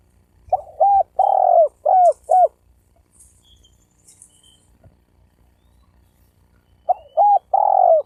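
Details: Spotted dove gáy gù, used to provoke males and females into fighting: a run of soft, rounded coos, short and long mixed, then silence with faint high chirps, then another cluster of coos.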